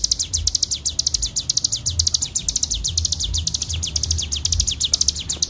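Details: Bar-winged prinia delivering a long ngebren song for use as a training master: dense run of piercing, high, descending notes, about eight a second, steady throughout, with faint low-frequency rumble underneath.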